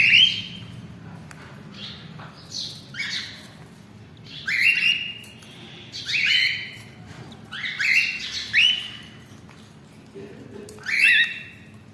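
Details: A baby cockatiel gives harsh, rasping begging squawks in repeated bursts while being fed by an adult male cockatiel.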